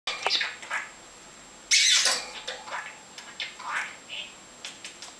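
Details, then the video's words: Carlo, a Danish talking budgerigar, chatters in quick, raspy, high-pitched bursts that mimic speech, with one louder scratchy phrase in the middle and softer chirps around it. "Den Talende undulat"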